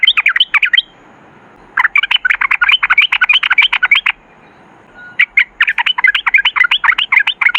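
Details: Yellow-vented bulbul in long rolling 'ropel' song for luring other bulbuls: rapid runs of bright chattered notes lasting several seconds, broken by brief pauses.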